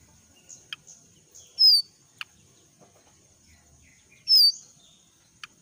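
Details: Forest jongkangan, young and moulting, utters two strong descending whistled calls about three seconds apart, with short faint chips and a steady high background tone.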